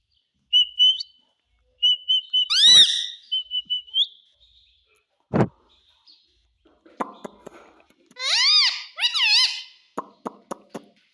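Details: Pet parrot talking, mimicking "mummy" and "papa": short high whistled notes, then a squawky harmonic phrase, a sharp click midway, and later rough speech-like syllables followed by quick clicks.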